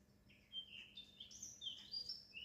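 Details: Small songbirds singing at a window, giving quick, high, thin chirps and twittering notes tumbling up and down in a busy run over a soft background hum.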